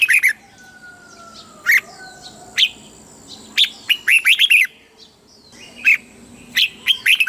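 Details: In Thailand, a red-whiskered bulbul sings in the southern master-song style used to spur caged birds and teach youngsters: sharp isolated notes, then a quick rippling phrase, with long thin whistles from other birds.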